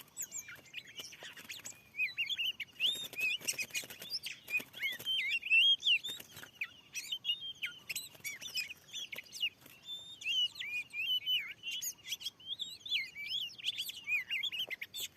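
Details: Very aggressive wild Oriental magpie-robin answering a lure in a newly set-up field: long stretch of jumbled whistles and chips, with repeated rustling or fluttering bursts mixed in.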